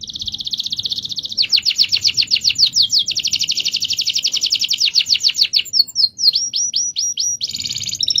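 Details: Canary performing a long rolling song for master training: continuous fast pulsed trills shifting in pitch for several seconds, then short hooked whistles and a final brighter trill.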